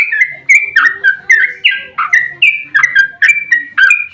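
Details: Sooty-headed bulbul singing in combative mood to stir other birds to respond: a steady series of loud, bubbly whistled phrases, about three per second, each dropping in pitch.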